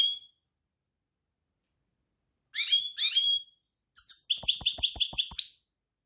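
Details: European goldfinch twittering in paired phrases, then a rapid trill of repeated notes accompanied by soft regular clicks.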